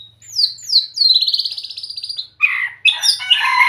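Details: Lively white-rumped shama song: quick high down-slurred notes lead into a fast buzzy trill, then loud, rich, jumbled warbling.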